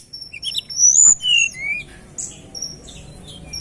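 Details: Sunda robin lure song: a few clear, very high drawn-out whistles, some sliding downward, followed by softer fading notes.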